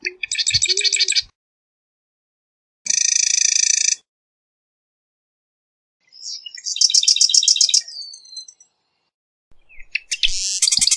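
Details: Four bursts of Marsh wren song, each a high, rapid, buzzy rattle lasting about a second. A brief lower note comes before the first, and silent pauses of a couple of seconds separate the phrases.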